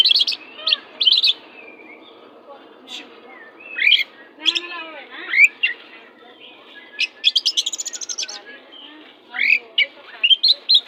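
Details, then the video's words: Aggressive oriental magpie-robin in full song, meant to spur timid birds: varied loud whistles, down-slurred and rising notes, harsh buzzy bursts and a fast ticking run, phrases separated by short pauses, faint background hiss. "Kacer pastol jahat lumayan but masteran burung Kacer kurang ngotot Lang sung ikut ngotot"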